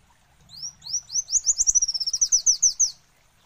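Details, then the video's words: Olive-backed sunbird song: high, sharp upslurred whistles accelerating into a quick even trill, then slowing into a few spaced notes, with a quiet background. "Suara Alam Kolibri Wulung"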